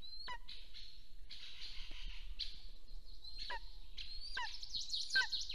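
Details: Golden eagle at its nest in Soomaa National Park, southwestern Estonia, on a nest camera on 1 April 2024 in the morning as the mate returns. Several thin rising whistles that snap downward are spaced among rustling, breathy noise.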